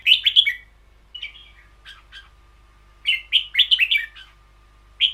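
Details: Red-whiskered bulbul, a cage bird, in the long double-phrase ber yao song style: quick clusters of warbled, bubbling notes, some softer in between, over a faint steady hum.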